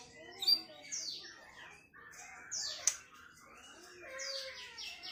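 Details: Sunda bush warbler singing: sweet, high thin whistled notes and sliding phrases, some falling steeply, mixed with short chirps and a sharp click, against a quiet background.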